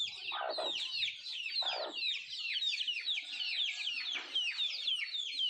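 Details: Nattu kozhi, the native chicken, eating: steady stream of piercing descending peeps, about one a second standing out from the chorus, plus a few muffled thumps from pecking.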